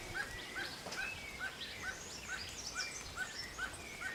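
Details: Barbet in forest giving a regular run of brief, hollow, mid-pitched notes every 0.4 seconds, while other birds add thin whistles and chirps above.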